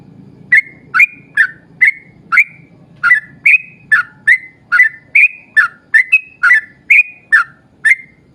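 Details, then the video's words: Vigorous long 'ropel panjang' singing from a yellow-vented bulbul, used to prompt other bulbuls to sing: a fast series of about eighteen short whistles, rising and falling, about twice per second, with a low murmur beneath. "trucukan gacor ROPEL PANJANG buat pancingan trucukan agar bunyi"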